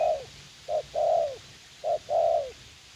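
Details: Spotted dove, a young decoy eager to fight, used for trapping in a U Minh garden, calls in hollow two-part coos, a brief note followed by a long note that bends downward, repeated about each second.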